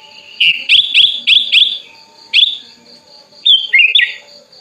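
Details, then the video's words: Tame hand-raised sooty-headed bulbul, opening its wings and calling to a rival, gives a quick run of five bright whistled notes, then one more, then a rolling slurred phrase dipping lower. "kutilang gacor buka sayap, memanggil lawan"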